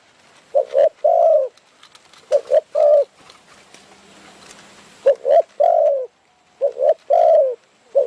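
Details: Decoy trapping of spotted doves in Phrae, Thailand, the birds approaching to fight; clusters of soft, low coos with a short quiet gap filled by faint rustling before the hooting resumes.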